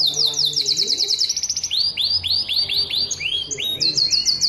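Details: Canary (kenari) in vigorous, nonstop singing form, used as a tutor song to train other canaries and stimulate them to sing and breed. High, fast rolling trills alternate with runs of quick downward-slurred chirps, about five per second, with no other clear sounds.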